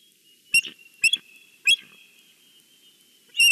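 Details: Nesting bald eagle at Big Bear calling out to the valley on a Sunday: sharp, high, separate piping notes spaced about half a second apart, then a loud clustered burst at the end.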